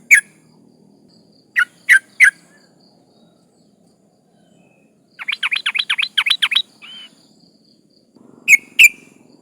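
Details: Breeding female sooty-headed bulbul calling to males, played to lure rivals: three separate sharp chirps, then a rapid series of about a dozen clipped, rising chattering notes, a short whistle, and two final chirps.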